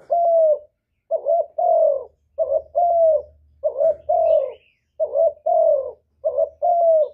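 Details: Spotted dove cooing to provoke others into calling back. A continuous series of paired mellow hoots, a short note followed by a longer falling one, about six pairs, with a faint low rumble and a brief high chirp.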